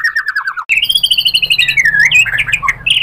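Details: Provoking lure song of a white-rumped shama: a quick series of descending whistled notes, then a continuous, warbling phrase of slurred whistles that rises and dips in pitch.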